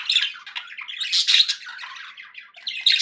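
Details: Budgerigars chirping happily, a loud unbroken stream of grating squawks and warbling chatter that swells and fades over three seconds.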